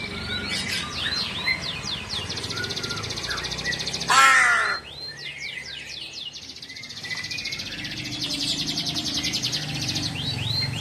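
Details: Crow, whose call is held by local myth to announce a death, utters one short harsh caw partway through amid a busy chorus of high, rapid chirping and trilling songbirds.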